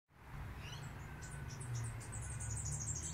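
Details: Superb fairywren in Australia singing in the morning: a rapid, high, tinkling reel of short notes over a steady low rumble of wind or distant traffic.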